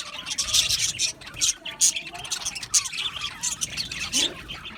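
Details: Happy budgerigars in an Australian budgie aviary colony, chattering together: dense, overlapping, harsh high chirps and scratchy squawks in quick bursts roughly every half second, with no other clear sounds.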